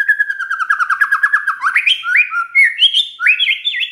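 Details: Shama song used to make other white-rumped shamas respond: a fast, even trill of about two dozen notes drifting lower, then bright whistled notes leaping upward in swooping phrases.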